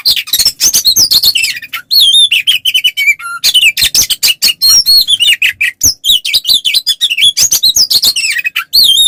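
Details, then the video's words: Oriental magpie-robin in energetic 'ngeplong' fighting song, used as a lure to provoke other males into answering: a nonstop torrent of sharp chirps, buzzy notes and bright whistled slurs, broken by one low whistle near the middle. "SUARA BURUNG kacer gacor NGEPLONG TARUNG ini paling AMPUH buat PANCINGAN KACER agar EMOSI NYAUT"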